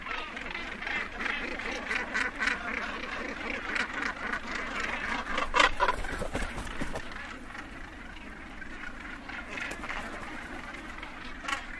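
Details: Northern gannet colony edge with birds arriving and departing: a dense, overlapping chorus of harsh grating calls from many birds, rising to a loud burst around the middle and then thinning out.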